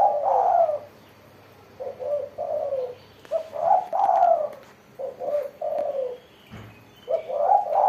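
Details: Spotted dove in full song, its voice called crisp ('mersik'). Soft, throaty coos come in groups of three or four notes, each phrase ending on a longer sliding note, with brief quiet gaps between phrases.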